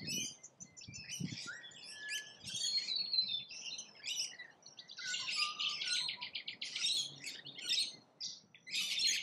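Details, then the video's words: Rainbow lorikeets feeding in Australia make busy overlapping screeches, squeaks and buzzy chatter, rising and falling in loudness across the stretch. "RAINBOW #Lorikeets FEEDING"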